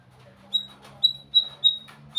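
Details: Thin, pure, high whistled notes from a white-rumped shama, each held briefly and repeated about every third of a second, over a soft low hum.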